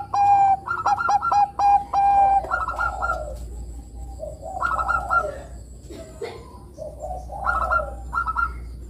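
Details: Bangkok perkutut, a zebra dove, singing in full voice as a lure to draw song from young doves: quick stuttering coo notes in bursts, followed by longer warbling rolled coos repeated every couple of seconds.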